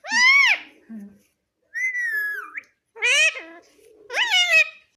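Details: Parrot that talks, saying "mummy" as stated, gives four separate harmonic phrases: a bright arched call, a level whistled tone bending upward at the end, then two rising, buzzy phrases, with brief gaps between.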